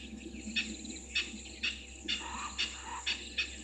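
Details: Spurfowl at Gowrie dam waterhole on Djuma Game Reserve, Sabi Sand Wildtuin, South Africa, at 17:04 on 22 August 2023, fixed waterhole camera; harsh, scratchy notes repeated roughly every half second, some lower rasping notes, faint insect hum behind.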